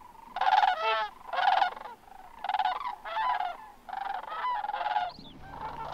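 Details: A flock of Greater Sandhill Cranes arriving at dusk to roost at Crex Meadows, western Wisconsin, on 14 October after rain under heavy overcast, gives loud, rolling, rattling bugles in overlapping bursts roughly once a second, several birds calling together.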